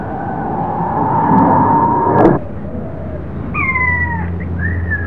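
King Quail giving two thin, falling whistles near the end, the second shorter, over a steady low rumble and an earlier stretch of harsh noise.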